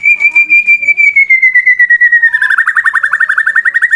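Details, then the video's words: Competition male white-rumped shama singing to challenge other shamas to fight: one long, pure, slowly falling whistle breaks into a rapid, rattling trill of quick repeated notes. "MURAI BATU LOMBA NGAJAK LAWAN TARUNG, EFEKTIF MANCING EMOSI TARUNG MURAI LAIN"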